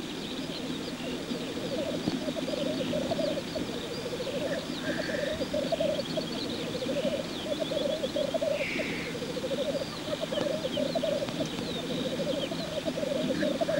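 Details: Male black grouse in lek display. Continuous rolling, bubbling cooing lasts the whole recording, with two short hissing bursts and faint higher chatter from other birds above.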